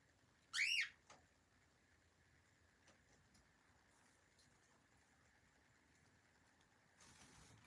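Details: Pet cockatiel from a friendly flock kept in Berlin: one brief sharp whistled call at the start, then a long quiet stretch with faint clicks and a soft rushing noise at the end.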